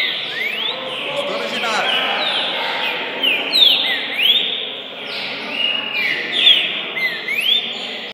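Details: Caged one-year-old Green-winged saltator, taken out of home for the first time to a bird gathering on 4 August 2019, singing repeated loud whistled phrases, each with sharply rising and falling slurs, roughly every second, over constant background hiss.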